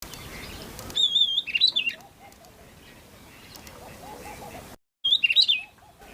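An Oriental magpie-robin sings two short bursts of clear, varied whistled phrases, high and fluting, while softer, lower warbles from distant birds carry on beneath.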